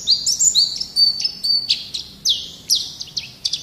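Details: White-eye song, a lively 'gacor' master recording for training songbirds: high, thin whistled notes with quick upward and downward slides, in short phrases about every half second, plus sharp chips. Quiet background.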